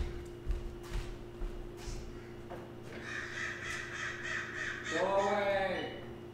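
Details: Crows calling repeatedly during an indoor art lecture, described as laughing at the speaker; harsh nasal caws with stacked overtones, one long drawn-out caw near the end, over a man's talking and a steady electrical hum.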